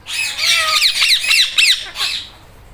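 An Indian ringneck parrot mimics a cat's meow with about two seconds of harsh, nasal squawks that bend into falling, mewing slurs, then fade into quiet.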